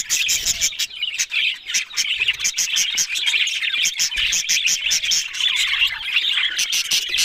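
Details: Australian budgerigars warbling and twittering continuously, with many sharp clicks and ticks running through the busy parrot chatter.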